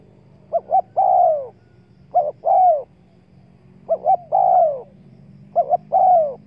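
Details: Luring call of a spotted dove, used to draw in wild doves: four phrases, each a quick paired coo and then a drawn-out descending coo, about one phrase every second and a half, over a low steady hum.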